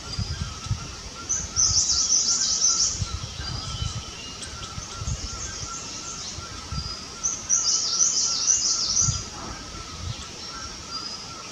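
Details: Himalayan cutia at its nest while building and flattening it, giving two bursts of high, thin, rapid chattering notes about six seconds apart, over a faint steady insect-like hum and low wind thumps.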